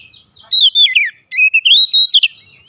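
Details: Oriental magpie-robin emptying its repertoire of fill phrases in an excited mood: loud, pure whistles that swoop downward, a brief silence, then a rapid rising string of chirps over a quiet background.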